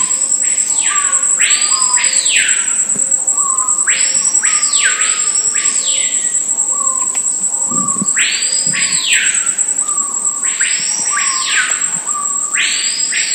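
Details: Screaming piha (Lipaugus vociferans) near Una, Bahia, Brazil, 31 January 2014; loud, ringing whistles in pairs, each swooping sharply up then down, after low introductory notes, over a steady high insect drone.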